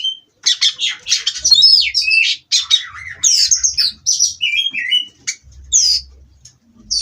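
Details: Oriental magpie-robin from a breeding farm singing to steady itself on its perch: dense scratchy chatter and bright whistled phrases, some sliding notes, with a few pauses and a faint low hum.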